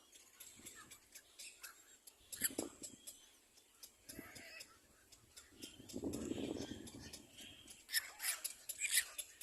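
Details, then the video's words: Little black cormorant chicks competing for food: harsh, rasping squawks in short bursts, building to a sustained hoarse chorus of overlapping begging calls, with scattered clicks and rustling between. "Little black cormorant baby birds compete for food"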